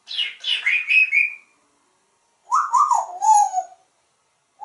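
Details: Pet male African grey parrot kept at home in Texas, hatched in 1997, performing sound-effect imitations of water, raspberries and a grackle: two bursts of harmonic, warbling notes sliding downward, the first higher and bright, the second lower and gurgling, separated by a pause.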